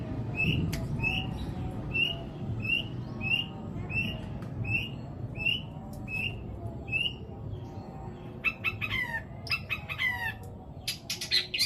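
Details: Long-tailed shrike song carrying sparrow, petir and kuntilanak fills, used to prompt shrikes that have stopped singing: a run of short high chirps about twice a second, then a burst of harsh, buzzy, broadband notes, over steady low background rumble.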